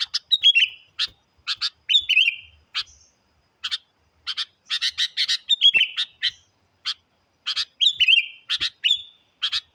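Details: Very vocal sooty-headed bulbul singing to challenge wild birds: rapid doubled chirps mixed with slurred descending whistles, delivered in busy phrases with brief silences between groups, clean background.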